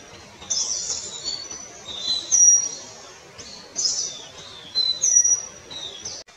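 Palani laughingthrush giving high, thin whistled and chirping notes in short bursts every second or so, with no other clear sounds.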